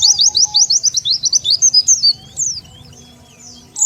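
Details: Oriental white-eye lure call meant to draw in wild birds, a fast string of high, thin downslurred chirps for about two seconds, then scattered sharp high notes.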